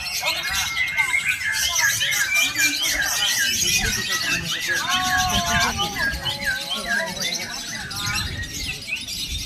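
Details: Lovebirds in Medan give dense, rapid chattering with shrill squeaks and twittering notes repeated quickly throughout, over steady human speech and background voices.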